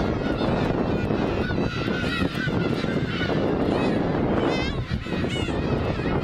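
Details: Many black-tailed gulls at Kabushima in winter, New Year's Day 2015; a chorus of nasal mewing calls, some sharply upswept, overlaps throughout, with heavy wind or surf rumble underneath.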